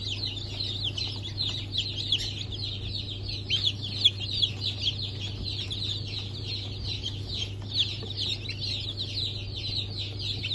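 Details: Freshly hatched chickens, including Blue Brahma, Porcelain Brahma, Sussex and Marans, on 1 April 2024. Crowded, high-pitched cheeping pours out without pause, with individual peeps rising and falling quickly, above a low steady hum.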